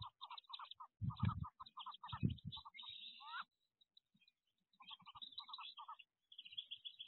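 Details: Peeping wood duck ducklings inside a nest box, 2023, high short calls in quick series, interrupted by low thumps and scrambling, then a brief near-silence before peeping resumes.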